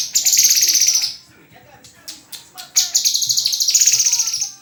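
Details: A murai (white-rumped shama) sings a fast pulsed chatter, pauses with scattered clicks, then launches a longer rattling phrase.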